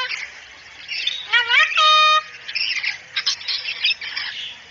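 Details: Cockatoo heard on a recording used to train a cockatoo to speak quickly and chatter: rough chattering noise, then one loud rising squawk flattening into a steady held tone, more chatter after.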